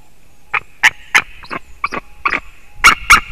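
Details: White-tailed eagle recorded on 9 October 2019 at 07:55, giving about eight harsh, yelping notes at an uneven pace that bunch together at the end, over a faint steady high hum.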